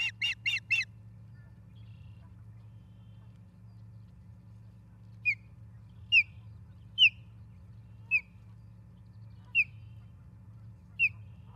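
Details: Osprey at a nest in Charlo, Montana, on a live nest camera, 23 August 2023 around 6 a.m.: a quick burst of three sharp chirps, then a pause, then single high downslurred whistles about once a second over a low steady hum.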